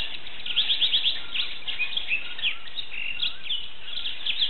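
A wild canary sings a fast run of bright, high chirps and short trills, with a steady low background hiss throughout.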